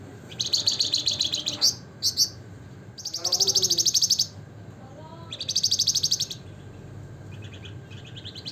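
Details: Javan fulvetta (flamboyan, wergan jawa) in nembak ngebren singing style: several dense, high, rapid trills lasting about one second each, the first stuttering into short doubled notes, with a faint lower whistle beneath and steady hum behind.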